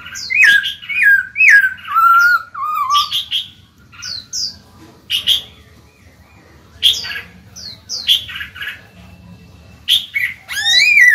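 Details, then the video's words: Black-throated laughingthrush kept in a cage, singing to stimulate other birds: lively mixed phrases of looping whistles and sharp high chips, broken by short pauses, ending in a rising curled whistle. "Khiếu bạc má chuyền hót kích bổi mở mỏ ngay."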